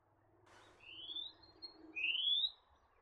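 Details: Two clear, rising whistled upslurs from a spectacled monarch, a bird of dense coastal vegetation in eastern Australia, about a second apart, the second louder. A brief rustle comes before them.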